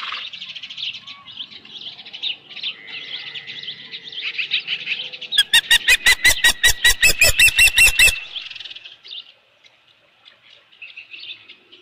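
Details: Osprey calling at the Dunrovin Ranch nest, 15 July 2018 around 7:55 PM, with a large headless fish brought in: soft high chirps build into a loud, rapid run of sharp repeated calls, then fade to quieter whistles.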